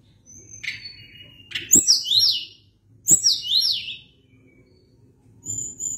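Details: Sunda blue robin singing at length: each phrase opens with thin whistles and runs into a rapid cascade of high, downward-sweeping notes, repeated twice with pauses between.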